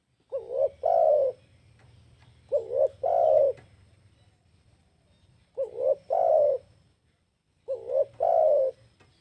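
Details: Spotted dove cooing: low, soft two-part coo phrases, a short note followed by a longer rolling one, repeated four times roughly every two to three seconds with quiet gaps between.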